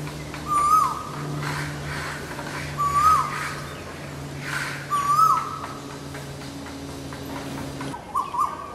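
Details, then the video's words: Asian koel calling from India: a clear, hollow whistled note that holds steady, then rises and drops off sharply. It is repeated four times about every two seconds over a steady low hum and faint background noise. "Asian Koel sound"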